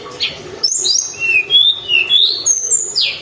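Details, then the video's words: Lively song of a mountain tailorbird meant to excite other birds: a fast run of sharp, high, thin whistles, some dropping and some climbing, about six notes in three seconds, with a low steady hum beneath. "Pancingan burung tledekan gunung gacor"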